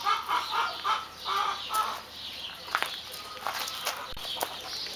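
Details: White Silkie chickens clucking in short, rounded, even notes repeated about three times a second, then trailing into softer scattered sounds and clicks against a constant noisy background.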